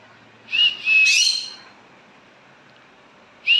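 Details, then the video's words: A pet green-cheeked conure calls its owner with loud, shrill whistled calls: two close together, then a third after a two-second pause, over a quiet background. "my parrot cheeku is calling me"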